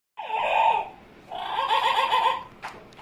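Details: Pet Amazon parrot making funny noises: a harsh nasal drawn-out squawk, then a longer raspy call with rapid stuttering pulses, ending with a short sharp click.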